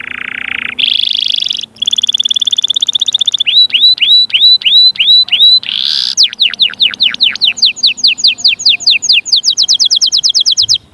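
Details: Varied canary song for stimulating fledglings to sing and readying females: a buzzy rising trill, rapid repeated notes, looping whistles about twice a second, then fast sweeping descending notes and a final trill.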